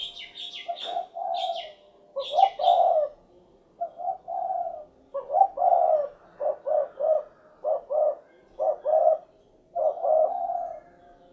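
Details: Repeated low rolling coos of a spotted dove (derkuku), given in short clipped notes and longer burry phrases over about eleven seconds, with higher chirps from another bird near the start.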